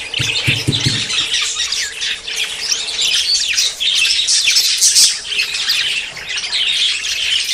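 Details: Budgerigars courting and close to breeding, a continuous flock warble of scratchy chirps and squawks, opening with a few quick low knocking sounds.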